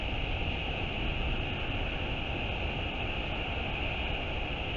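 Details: A constant broadband hiss and low rumble of wind, with steady humming bands, continues without any animal calls.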